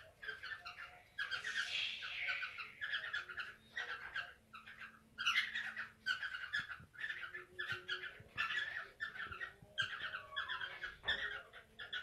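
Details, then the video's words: Caged canaries in a mating context, recorded indoors in a small room: a busy, rapid chattering song of repeated chirps and trills, with harsh squawk-like notes and a low faint hum behind. "تزاوج طيور الكروان الكوكتيل"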